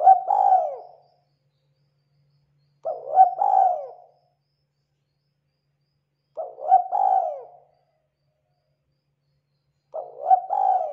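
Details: Spotted dove, local tekukur, cooing as a lure for other doves: four evenly spaced phrases, roughly every three and a half seconds, each a quick double note then a purring descending coo, otherwise silent.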